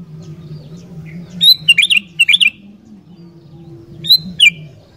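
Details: Sooty-headed bulbul singing busily, intended to trigger wild bulbuls to sing: a whistled note then two quick bubbly, warbled phrases, a pause, and another whistle with a downslurred flourish, against a low droning background.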